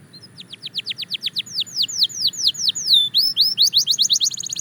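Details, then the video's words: Belgian canary song during daily singing training: a long accelerating series of high, downward-slurred whistles, rising in loudness, a brief drawn-out note, then rapid repeated chirps with faint background hum. "Shocking Canary Singing Progress"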